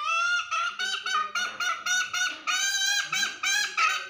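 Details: Hen giving the ngekek call to summon the rooster; loud, nasal, harmonic-rich squawks repeated about three times a second in an uneven rhythm, some notes bending upward, with a faint low noise beneath.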